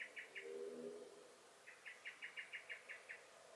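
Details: Blackbird (Turdus merula) in a May 2021 garden giving alarm calls: three quick notes, a brief low hum in the background, then a longer run of eight rapid, evenly paced sharp notes.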